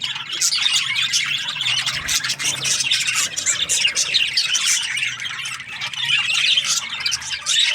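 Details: Budgerigar chirping at morning time: dense, lively chatter of high squeaky notes rising and falling in loudness, with a faint low hum underneath.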